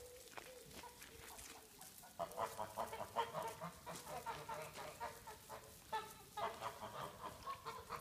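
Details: Geese kept in a yard giving a run of nasal, repeated honks, quiet at first, then a louder series of rapid calls about every half second.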